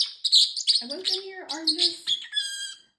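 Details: Indoor pet parrotlet, a male mimic of phrases like 'peekaboo' and 'excuse me', chatters in shrill, squeaky syllables, while a human voice murmurs underneath midway.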